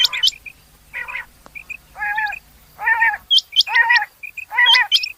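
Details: Rain quail: brief high double whistles and small chips, interleaved with regular lower grating, buzzy bursts about every second. A faint low hum fades out midway.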